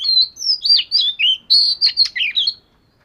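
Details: Oriental magpie-robin of the scaly 'vẩy cá' type singing during daily voice training: a rapid run of about a dozen varied high whistles and chirps, slurred up and down, packed into two and a half seconds, then silence.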